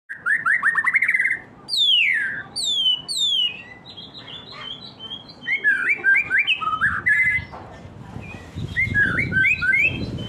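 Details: White-rumped shama singing when provoked by a rival: a rich, varied run of clear whistles, fast trills and sweeping downslurred notes with short pauses, later phrases over low background rumble.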